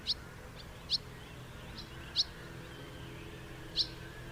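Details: Sparse, bright single chirps from a house martin, about one every second or so, each crisp and high, with a faint low hum throughout.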